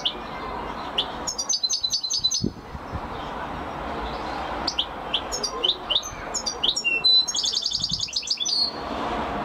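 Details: Champion European goldfinch song: scattered high chirps build into rapid tinkling twitters and buzzy repeated trills, with a few low thumps and steady hiss behind.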